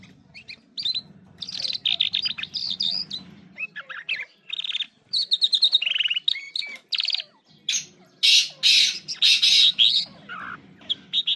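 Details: Long, busy Irani king jal song: dense scratchy warbles, rapid chattering trills and loud buzzy bursts with short gaps, over a soft low rumble early and late.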